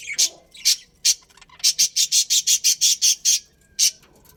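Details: Breeding pair of budgerigars from a colony: short, scratchy high chirps, a few spaced notes and then a quick even burst of about ten, followed by one last chirp.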